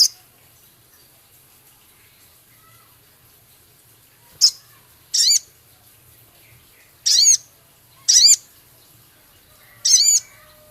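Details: Male Javan cochoa in lively song, filled with scarlet minivet phrases, ketikan and rough crecet. Five high, arched, ringing notes come at uneven intervals of one to three seconds over a quiet background.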